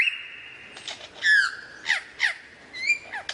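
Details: Lyrebird in varied song: a long steady whistle, then harsh, raspy notes and scratchy bursts, with a few brief clear whistles between them.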